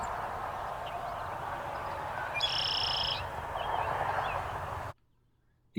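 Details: A male Red-winged Blackbird in North America sings a couple of soft introductory notes, then one harsh, buzzy trill lasting under a second, over steady rushing background noise.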